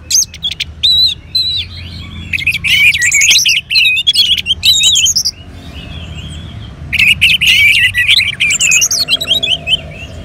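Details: Caged orange-headed thrush in northern Bali, Indonesia, stimulated with a recording of colony birdsong; rich varied whistled phrases with rapid high trills and mimicry-like notes in bursts, pausing briefly between phrases.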